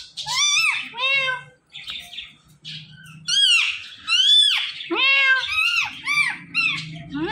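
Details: Captive parrot calling repeatedly: loud, arched, harmonic squawks that rise and fall, delivered in quick irregular succession, roughly one a second, with soft background music underneath.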